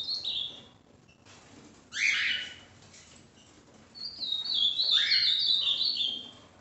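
An ultramarine grosbeak sings rich, clear warbled phrases, with a brief opening, a quick sliding burst, then a longer tumbling run of high whistled notes.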